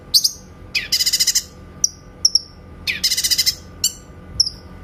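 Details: Cucak kinoy (grey-cheeked bulbul) master song for training white-rumped shamas: sharp high chips and two rapid rattling bursts of about eight notes each, with thin whistles between.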